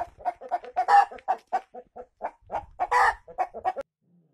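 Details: Giant Brahma chickens, rooster and hen of a large gentle domestic breed, strutting together; steady clucking, about four short mid-pitched pulses a second, with two louder raspy squawks at one and three seconds before it stops.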